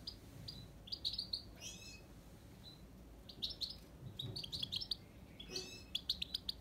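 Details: Himalayan goldfinch giving a softer twittering song of high chirps and brief trills in scattered bursts over a quiet background hum, with a cluster of quick repeated notes near the end.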